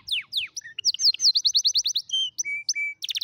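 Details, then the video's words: Canary song used for teaching young canaries to sing: rapid clear whistled notes, steep descending sweeps, then fast repeated rising trills at about four per second, ending in steady sustained tones and a quick buzzy burst. "كناري يغني أفضل تعليم فراخ الكناري"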